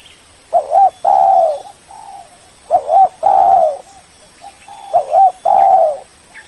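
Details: Spotted dove lure calling to summon a rival, regular phrases of a double coo then a long mellow coo roughly every two seconds, with softer coos from another dove between.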